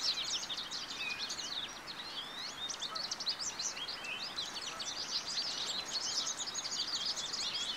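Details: Rapid, sustained twittering from an American goldfinch, bright high chirps and quick slurred notes packed closely together, with faint background hiss throughout.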